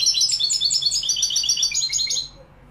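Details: European goldfinch, Morocco, Malaga song style: a continuous, very high, tinkling twitter of quickly repeated notes that stops abruptly after about two seconds.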